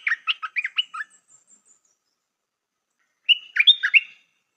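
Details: Stripe-throated bulbul, a new decoy bird with a well-phrased lure song: a quick bubbly run of warbled notes, a pause, then another short rich phrase of dropping and rising whistles.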